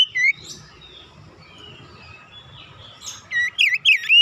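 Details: Oriental magpie-robin (kacer), a young untrained bird, in easy-going song meant to provoke other birds to sing. One sharp whistled phrase opens, then a soft lull and a closing cluster of rapid, looping whistled notes.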